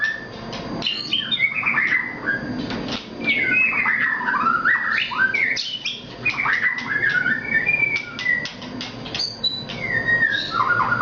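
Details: White-rumped shama from Nias singing energetically, a varied run of rich whistles, rising and falling slurs and quick chattering notes, nearly continuous.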